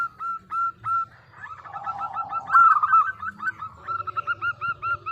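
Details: Local zebra dove in full song, played as a lure for other doves: spaced clear coos, then a buzzy lower passage, then a fast run of short hooked notes.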